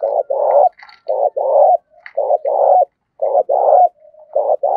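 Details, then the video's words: Spotted dove lure bird cooing fiercely in the thổ voice style to goad rivals into fighting: five two-part phrases in steady succession, a brief note then a drawn-out husky coo, with faint higher chirps between. "Tiếng chim cu gáy thúc đấu rút bổi cực gắt"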